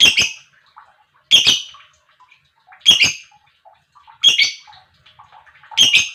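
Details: Lovebird chirps meant to stir other lovebirds into lively singing, heard as loud, harsh squawking bursts spaced roughly every one and a half seconds, with faint soft twitters between them.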